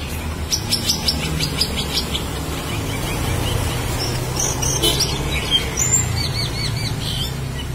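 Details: Black-winged starling singing loud and melodious in full, active voice: scattered sharp high chirps and short whistled notes in irregular bursts, over a steady low rumble of background noise.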